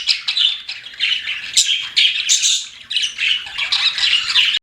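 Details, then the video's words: Pet budgies chirping in short squawky bursts and scratchy warbles, repeated about every half second, ending abruptly. "CUTE PET BUDGIES CHIRPING"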